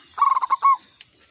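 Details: Local zebra dove, kept as a lure bird, giving one cooing phrase: a quick run of about six soft, rounded pulsed notes, with the last note held a little longer. A faint high hiss sits behind it.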